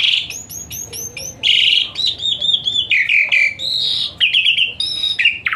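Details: Asian pied starling singing a rich, varied song used as therapy for a lazy-singing starling: a rapid mix of whistled notes, harsh buzzy phrases and repeated chattering trills at changing pitches.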